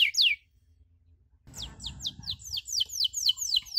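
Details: Canary chirping as tutor audio for young canaries learning 'cuit cuit': two quick falling chirps, a silent pause, then a rustling noise under resumed rapid downslurred chirps.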